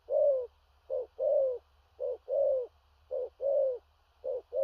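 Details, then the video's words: Loud 'thổ rặc' cooing from a large spotted dove: a long mellow coo, then repeated couplets of a clipped hoot and a sustained, gently descending coo, about four cycles, in quiet surroundings. "Cu Gáy/THỔ RẶC ÂM KHỦNG/Clip455/Nước Xa Thúc Kèm Gù Cà Lăm/Tướng Bộ To Bự"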